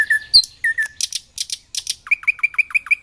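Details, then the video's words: A nightingale singing in Dubki park, Sestroretsk, St Petersburg, gives a rich, varied phrase: clear whistles, then dry rattling chatter, ending in a fast run of eight ringing, rising notes. "Соловьи поет очень красиво-The nightingale sings very beautifully!!"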